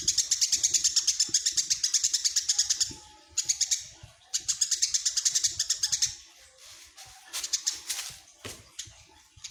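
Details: Tame Eurasian tree sparrow, said to sing day and night, giving fast bursts of high, bright chirps, about three per second, in runs of two to three seconds with short pauses; faint low thumps and rustling underneath.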